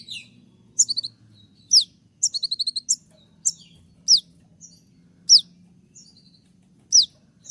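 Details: Konin, a bird moulting with feathers falling out yet still singing actively, gives sharp 'tembakan' shot notes: steep high descending chirps about once a second, with a rapid burst of five clipped notes near three seconds.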